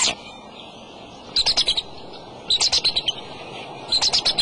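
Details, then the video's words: Bald eagle father calling over the eggs at the nest, 2:26 pm on March 23: after a quiet pause, three bouts of quick, high, slightly descending piping notes in close series. "dad calling"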